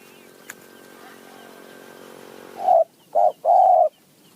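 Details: After a steady background hum, a wild spotted dove in high mountain forest, answering a decoy, gives three clear hollow coos: short, shorter, then a long steady one.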